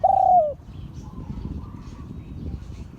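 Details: Spotted dove from an auspicious line, cooing in the 'liu tan' style: one loud, steady hooted note about half a second long that falls slightly at the end, followed by faint, quieter echoes over a low background rumble.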